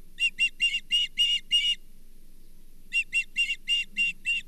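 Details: Osprey calling at the Charlo nest where a Brown Bullhead was brought, 24 April 2023: two bursts of five or six shrill, clipped chirps separated by a pause of about a second, over a faint low hum.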